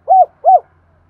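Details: Spotted dove, a lure bird calling as it does each day: two short, soft arched coos in quick succession, then quiet with a faint low hum.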